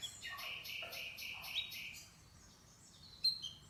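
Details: Canary chirping: a quick series of about seven repeated high, slightly buzzy notes in the first two seconds, followed by quiet and one sharp high note near the end.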